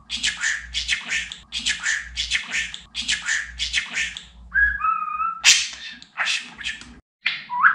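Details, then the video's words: Caged pet budgerigar mimicking speech: a steady run of harsh, breathy syllables repeated about twice a second, then two pure whistled tones, a sharp burst and more chatter. "Konuşan Muhabbet Kuşu"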